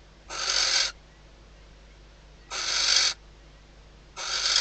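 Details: Barn owl female inside a nest box at the Riet Vell nature reserve, Ebro Delta, calling as her mate arrives near hatching time; three coarse hissing bursts spaced irregularly, about two seconds apart, with quiet between.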